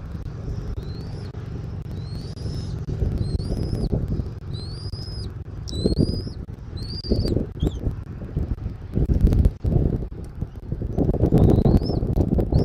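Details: At a Southwest Florida nest, filmed by nest camera on 13 January 2024 at 14:17, an eagle gives a run of high, thin, upslurred whistles in quick succession, with heavy wind and buffeting noise beneath.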